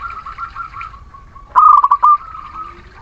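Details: Local zebra dove from Muria, a lure song for lazy, silent birds. A soft rippling coo leads into one loud phrase of fast choppy notes that stretches into a long level tone, then gentle cooing resumes.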